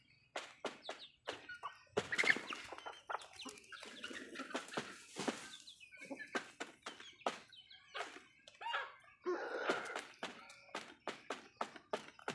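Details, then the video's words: Backyard hens feeding, giving short, soft clucks in loose runs, with a denser burst of clucking near the end, over many sharp pecking taps and scratching sounds. "Backyard Chickens Feed food fun Relaxing video Sounds Noises hens Clucking"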